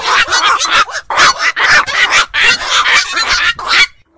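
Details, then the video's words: Night-calling black-crowned night heron of ponds and wetlands: a steady run of harsh, grating squawks, dense and overlapping for nearly four seconds, then stopping abruptly. "বাকচু পাখির ডাক. নিশি বক এর ডাক. 4 রাত জাগা পাখির ডাক"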